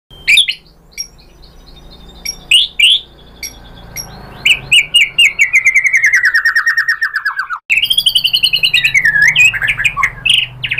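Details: White-rumped shama song used as a lure to provoke other birds into singing: scattered sharp high notes, then a long rapid trill slowly falling in pitch, followed by another fast run of bright chirping notes.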